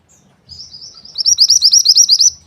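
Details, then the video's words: Mountain white-eye calling to draw in males, a high thin chip that quickens into a loud, rhythmic run of bright, slurred chirps repeated evenly. "MANTENAN GUNUNG GACOR MANGGIL JANTAN"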